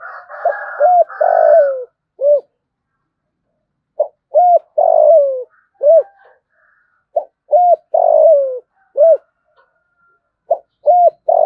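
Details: Spotted dove of the local 'thổ' voice, used as a decoy to lure wild doves, cooing in short hollow bursts of two or three notes with pauses, repeated about every two to three seconds, in a quiet setting.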